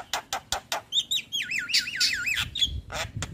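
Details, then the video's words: Lure song of a white-eyed Javan myna for reluctant singers: four harsh clipped notes, then a rapid rolling warble of wavy whistles, ending in rough chattering calls. "Pancingan Burung Jalak Malas Bunyi Rutin Kasi Pancingan Suara Jalak Kebo Mata Putih"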